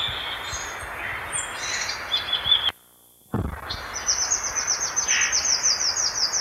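Violaceous euphonia song: high, bright twittering phrases, then a fast run of sharp repeated notes, broken by a brief silent gap.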